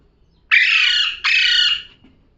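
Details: Pet parrot giving two long, harsh, buzzy squawks back to back, each about three quarters of a second, loud and rasping over a quiet background.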